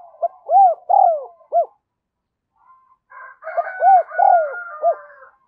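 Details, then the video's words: Decoy spotted dove cooing to lure wild doves. Two phrases of loud, arching coo notes, each with three or four syllables, are separated by a pause. The second phrase overlaps a buzzy, crow-like sound. "Chim Cu Mồi Thúc Và Gáy Gọi Bổi Nhanh Về Cội"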